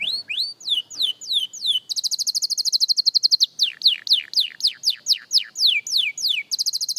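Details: Young canary practising its song as a beginner: series of clear downslurred whistled notes, then a fast buzzy rolling trill, more sweeping slurred notes, and a rapid trill returning at the end.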